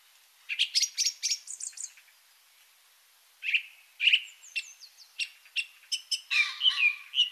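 A Song Thrush sings shrill, strident phrases, repeating each short phrase several times in quick succession before moving on to a new one.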